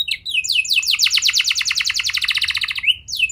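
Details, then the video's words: Canary song used as a lure to get young canaries singing, an intense rapid trill of closely repeated high notes bracketed by brief slurred whistles. "Pancingan Burung Kenari Muda! Ampuh Buat Mengatasi Kenari Muda Susah Gacor"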